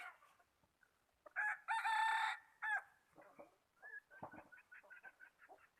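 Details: A highland rooster crows once, 11 November 2019: a short lead-in, a long loud harsh note and a brief ending. Faint chatter and scattered clucking-like noises follow in the background.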